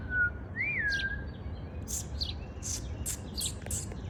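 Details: Morning song from a bird building its spring nest: a short, rising-and-falling whistle, then a run of bright, high chirps against low, continuous background noise.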